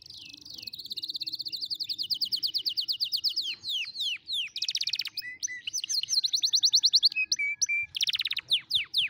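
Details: Canary singing as a tutor for young canaries learning to sing: a loud, fast run of high whistled notes and rapid trills, with swift downward sweeps, repeated phrases and buzzy rolls continuing for about nine seconds.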